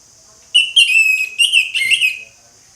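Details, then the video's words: Orange-headed thrush, loud ngeplong singing: a continuous phrase of pure whistles sliding into mimic-like, scratchy chatter, slightly lower and descending toward the end. "ANIS MERAH NGEPLONG, SUARA ANIS MERAH NGEPLONG"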